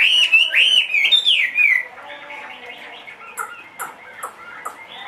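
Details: Two-and-a-half-year-old caged Chinese hwamei of large build, said to sing anywhere. It delivers a loud burst of warbled, sliding whistles that drop in pitch, followed by softer, scattered notes and faint clicks.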